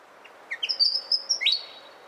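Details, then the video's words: Willie wagtail singing a few quick rising chirps that lead into a long, high, sweet whistle, ending with an upswept note. "Natural Birds Voice, Bird Natural Sound.Willie Wagtail"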